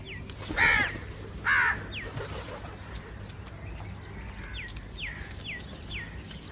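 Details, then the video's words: A crow gives two rough caws in quick succession, under a second apart. Afterwards another bird repeats thin, descending chirps against a steady background hiss. "Crow Sounds"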